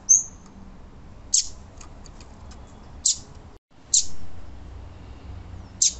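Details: Female Double-collared Seedeater calling to stimulate males: sharp, high, steeply falling chirps given singly every one to two seconds, five in all including a brief thin whistle at the start, over a low steady background hum.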